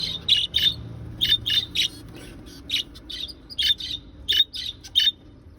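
A budgerigar gives quick, bright chirps and warbles in short bursts, with brief pauses between.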